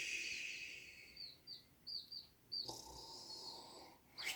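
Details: Chicks falling asleep in a warm hand give soft, high, thin peeps, about four short chirps in quick succession near the start, over a steady faint hiss, ending in a brief rustle.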